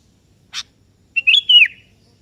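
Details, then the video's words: Kebo sooty-headed bulbul calling a rival, which answers; a brief dry click, then one rich liquid phrase of slurred whistles that rises and then slides downward. "Suara Merdu Burung Kutilang KEBO Gacor Memanggil Lawan Ikutan Bunyi"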